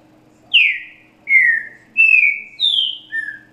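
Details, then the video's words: Green-winged saltator singing in the 'grego boca mole com boi' style, a song used for tutoring young birds. Five loud, clear whistled notes, each slurring downward, follow about every 0.7 seconds over a faint low hum. "Trinca Ferro Grego Boca Mole com Boi para Encarte de Filhotes"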